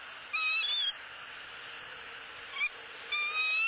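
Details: Live nest camera in Southwest Florida, male bald eagle bringing a soft-shelled turtle to the nest for the female; three short high whistled calls, the middle one a brief upward blip, over a steady hiss.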